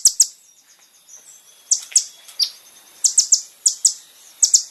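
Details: Kolibri ninja from a masteran training recording for caged birds: paired sharp high chips spaced irregularly, with faint thin twitters between them.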